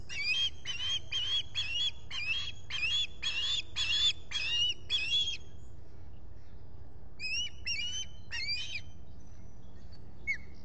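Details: A visitor is at an osprey nest in the Finger Lakes, US, on 23 July 2021. Loud whistled chirps come in a quick run of about nine, then after a pause a few thinner, rising notes, and one faint final note.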